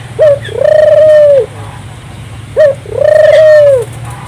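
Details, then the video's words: Loud turtle dove song, intended to stimulate local doves to sing: two phrases, each a quick short coo then a long, even, gently falling coo lasting about a second, with a faint low hum behind. "suara burung puter gacor, merangsang burung puter lokal ikut gacor"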